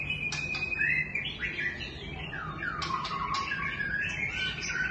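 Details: White-rumped shama song: a rich sequence of whistled notes and sweeping slurred phrases, some dipping then rising, alternating with sharp high clicks, over a faint steady low hum.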